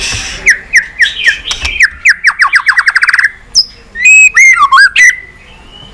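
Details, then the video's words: White-rumped shama singing in many voices, a song meant to stimulate and train birds: a quick run of repeated downslurred chirps speeding up, then loud, pure, looping whistles and a rising final note. "Chòe Lửa Hót Nhiều Giọng, Luyện Chòe Lửa Hót Căng"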